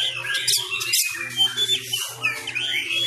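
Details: Oriental magpie-robin, Sumatran type, in fighting-style song during home training: quick mix of whistled slurs and harsh scratchy notes, hum in background.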